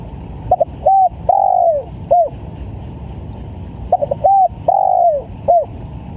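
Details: Spotted dove calling vigorously, recorded as a lure sound for catching wild doves. Two identical phrases about three and a half seconds apart. Each has quick stuttering notes, a short coo, a long drawn coo sagging at its end, then a brief closing coo over low background hum.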